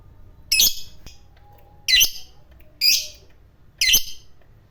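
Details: Fighter lovebird, of the kind kept for long 'ngekek' singing, uttering four separate harsh, high, raspy chirps roughly one second apart, with quiet gaps and faint background hum between them.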